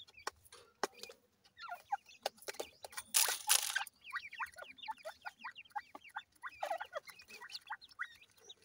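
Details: Young grey francolins feed, producing a run of short descending peeps repeated rapidly in the second half. Earlier, sharp clicks and a burst of rustling noise are heard.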